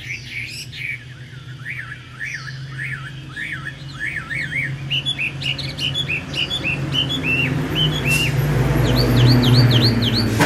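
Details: Caged Chinese hwamei for sale, yellow legs and beak, fanned tail, a former top-10 flag winner in Thanh Trì in 2019: rapid, varied whistled song of rising-and-falling slurred phrases, steady low hum beneath.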